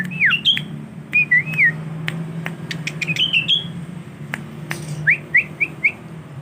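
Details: Young tame male sooty-headed bulbul, kept in a collection, learning to sing: bright whistled phrases, some wavering, some rising, in quick irregular bursts against a low droning hum with scattered clicks.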